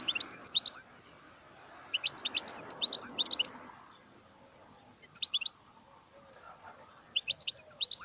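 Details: European goldfinch singing in four separate bursts of tinkling, high twittering notes with short pauses between them. A soft rushing background noise sits under the first half.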